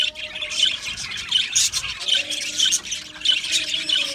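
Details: Aviary colony of Australian budgies with sharp squawky chirps and rapid twitters from several birds, a loud burst near one and a half seconds, continuous chatter throughout, faint steady hum underneath.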